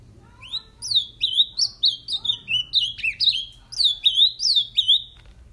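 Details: A male Ultramarine grosbeak, brought back to sing after just mating, sings a fast, sweet warble of about a dozen high, clear notes, each sliding down then up, over a faint low hum.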